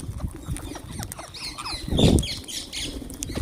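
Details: Wild green parrots at a feeding spot, calling in quick bursts of high twisting squeaks and chirps over a low rumble, with a loud fluttering thump about two seconds in.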